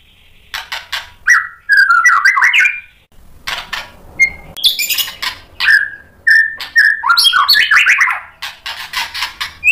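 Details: White-rumped shama in full song, answering a rival and revealing its repertoire: clipped whistles, buzzy scratchy notes and quick slurred phrases come in clusters separated by brief pauses.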